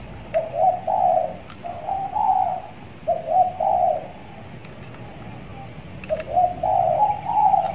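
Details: Caged young spotted dove in training, six months old and tethered, now calling often: three repeated low coo phrases, each rising slightly into a drawn-out rolling note, with soft ticking sounds in the background.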